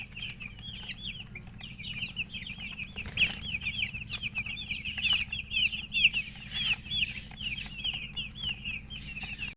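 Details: Domestic chickens, called murgi hen, with rapid high chirping notes repeated continuously at a steady pitch, a chick-like peeping chorus, over a low background hum.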